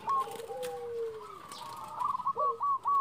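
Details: Zebra dove hen calling for a male: a long, gently falling low coo, then a quick, clipped run of high hooked notes at the end.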